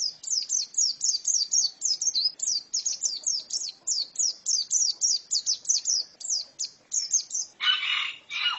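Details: Female white-eye chattering in a rapid, continuous stream of high slurred chirps for about seven seconds, ending with two short bursts of rustling noise.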